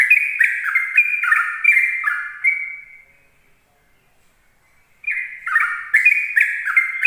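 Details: Yellow-vented bulbul morning song used to lure other bulbuls: bubbly, liquid whistled phrases that tumble downward in quick repeated bursts, fading out to a pause of about two seconds before the chattering phrases start again.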